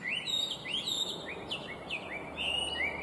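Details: Intricate song of a Chinese hwamei, a listed invasive species: separate upward-slurred whistles and bright flourishes tumbling one after another, loud against a low background hum.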